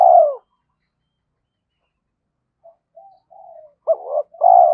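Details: Decoy spotted dove cooing to challenge rival males: the tail of one loud coo, a long silence, soft rising murmurs, then a stuttered double note and another strong, falling coo.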